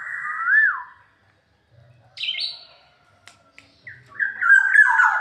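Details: Black-naped oriole sings a clear, rounded whistle that swoops up and down. A short, higher squeaky note follows, then a burst of rich warbled fluting.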